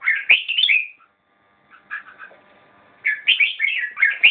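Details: Red-whiskered bulbul song: a lively whistled phrase, a soft pause with faint notes, then a longer, louder run of bubbling whistles to the end.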